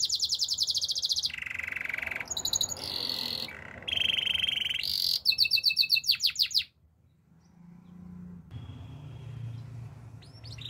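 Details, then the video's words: Canary singing a fast song: high buzzy trills, chopped rapid note series and bright rolling phrases that switch pitch every second or so, ending abruptly after about six seconds, followed by near quiet with a faint low hum. "Your canary will sing everyday fullspeed"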